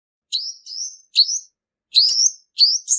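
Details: Male purple-throated sunbird singing a lure song used for trapping: high, thin notes, each a sharp onset sliding up into a short rising whistle, given singly or in quick pairs with brief pauses; no other sounds.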